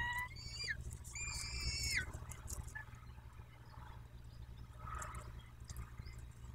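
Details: Peregrine falcons at their nest in Dobra, Poland, recorded 14-05-21 at 14:18. Two drawn-out, harmonic wails in the first two seconds, each ending in a quick downward slide. They are followed by quieter scattered clicks and rustling over a steady low hum.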